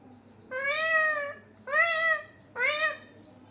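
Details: Pet parrot talking indoors, three drawn-out voice-like syllables, each under a second long, with bright stacked harmonics and short pauses between them.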